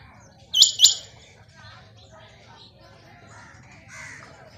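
A rain quail gives a quick pair of sharp, high, metallic notes, then falls silent over a faint background with soft, distant chirps.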